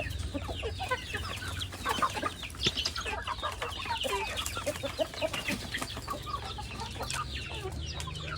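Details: Many chickens feeding together, filling the air with a busy mass of overlapping clucks and brief chirps, over a continuous low rumbling hum.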